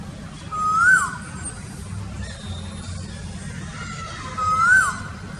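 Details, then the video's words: Asian koel giving two calls, each a clear whistled note rising then dropping sharply, about four seconds apart, over a steady low rural hum. "A bird that makes different sounds - Asian Koel"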